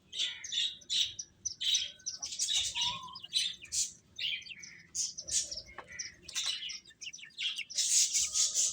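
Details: A group of baby chickens eating and peeping constantly; high, thin chirps overlap in quick irregular runs, a few lower notes mixed in, with a low rustling background.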